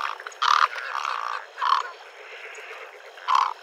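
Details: Great egret uttering a loud, raspy croak followed by a longer hoarse grating note, then a pause and another abrupt coarse croak near the end.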